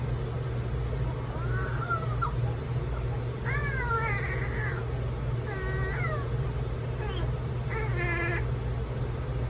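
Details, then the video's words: Amazon parrot copying an infant's cry: several separate falling wails and a final harsh cry, set against a steady low background hum. "ببغاء بيقلد صوت طفل بيعيط!"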